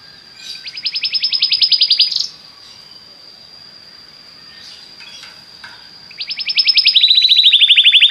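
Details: Belgian canary song for stimulating other canaries: two bursts of fast, even trills separated by about four seconds of near silence, the second trill dropping slightly in pitch, over a faint steady high tone.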